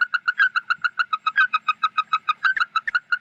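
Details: Lure call of a red-eyed bird gathering its flock: a fast, slightly uneven run of short nasal notes, roughly six or seven each second, some notes sliding down in pitch.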